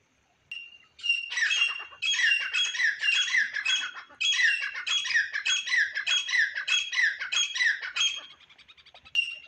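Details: Grey francolin calling during partridge trapping with a pet decoy bird, wild birds drawn in: loud harsh rhythmic phrases of grating notes, repeated about twice a second in an accelerating series.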